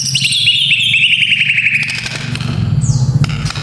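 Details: White-rumped shama song for training young fighter males: a fast rattling trill sliding slowly downward, then a single falling whistle, over low rumbling background noise.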